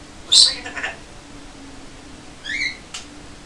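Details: African grey parrot indoors, talking and whistling; two short bursts of bright harmonic whistled notes, the first sharp and high then sliding lower, the second a brief rising-falling whistle, over a faint steady low hum.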